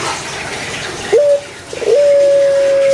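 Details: A pet Barbary dove (puter pelung, Streptopelia risoria), a kind famous in Indonesia, especially Java, and once kept as a time signal, gives a soft, low coo: a brief rising note, then a long steady hum over faint hiss.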